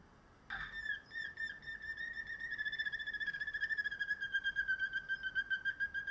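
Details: Canary bred for sweet singing delivers a long, steady whistled roll at one pitch, its pulses quickening and becoming evenly beaded, about four per second, with faint overtones above.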